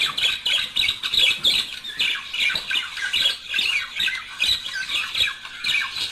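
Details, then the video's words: Budgerigar pair chattering in song meant to encourage singing and mating, a busy stream of harsh squawky notes and quick twitters rising and falling in short pulsing bursts. "تحفيز# طائر البادجي على التغريد والغناء صوت يحفز البادجي على التزاوج"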